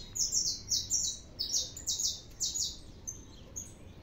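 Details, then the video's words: Steady singing from a saffron finch: a string of bright, high buzzy syllables spaced about every quarter to half second, loud for three seconds, then a few thinner notes, with noticeable background noise underneath. "canário da terra 315 cantando muito"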